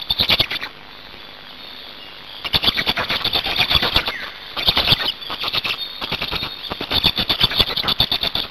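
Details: Black storks at their nest in Hungary, 8 May 2019, with an adult change-over and feeding: a brief rasping burst, then after a quiet pause a long run of pulsing, grating squeals that rise and fall repeatedly.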